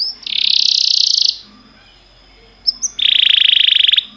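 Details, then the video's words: Canary song meant for training canaries: two long, loud buzzy rolled trills, each over a second, separated by a pause with a couple of short high chirps. "Cantar canário faz seu canário cantar"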